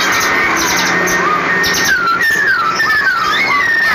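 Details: A caged female sooty-headed bulbul in the Semarang area, Indonesia, sings clear, descending whistled phrases over a loud continuous hiss, with fainter buzzy notes behind.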